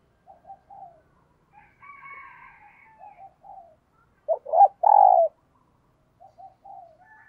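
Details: Decoy spotted dove calling wild doves in the morning: repeated soft coo phrases with two loud, emphatic coos in the middle, while a fainter higher drawn-out call runs in the background.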